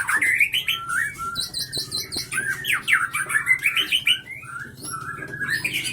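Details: White-rumped shama, Leuser bloodline bred in captivity in Gayo Lues regency, Aceh, known for sharp, long-breathed singing and mimicry; loud, rapid run of whistled slurs and sweeping notes with ticking clicks between phrases.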